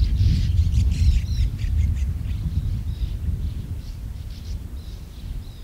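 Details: A colony of more than 100 sand martins: a burst of dry chirps in the first two seconds, then sparser, fainter twitters, all under strong rumbling wind noise.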